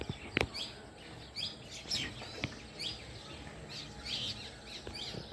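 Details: House sparrows (Passer domesticus) chirping in the evening: short, bright bursts in clusters every second or so, with a couple of sharp knocks and a steady background hum.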